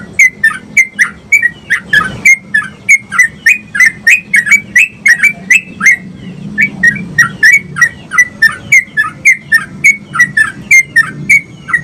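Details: Sooty-headed bulbul in lively, vigorous song used to stimulate other bulbuls to sing: a fast run of short bubbly whistled notes, about two per second, with a low steady hum underneath.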